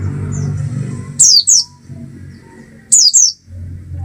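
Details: Oriental white-eye giving two pairs of high, thin, down-slurred chirps about two seconds apart, with low rumbling noise between them.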